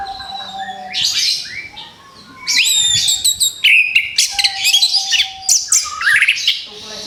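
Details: Orange-headed thrush after moulting, recorded to prompt it to sing again: a brief warble, a quiet gap with a long steady tone, then a rich tumbling stream of chips, trills and slurred whistles.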